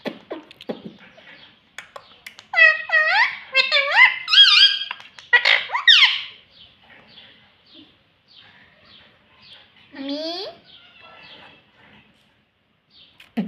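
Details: Talking parrot kept indoors, repeating 'mummy papa'-like words: a burst of loud, harmonic, speech-like syllables with downward and upward sweeps, a pause with soft clicks, then one more bent squawk.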